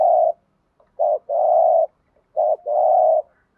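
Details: Spotted dove cooing as a decoy to stir up other doves, in the thúc gù and gáy gọi styles: a short coo, then longer drawn-out coos, each followed by a brief note and a sustained one, with silent gaps between phrases.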